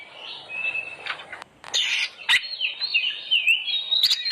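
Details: Oriental magpie-robin song played as a lure to get other birds singing: a thin steady whistle, breaks of rough noisy bursts, then a wavering run of high whistled phrases.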